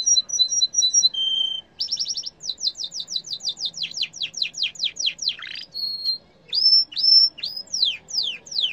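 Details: Yellow canary singing a varied song: repeated high double notes, a short steady whistle, a fast buzzy trill, then a long series of rapid downward-sweeping notes, a held whistle and rising-then-falling slurred whistles.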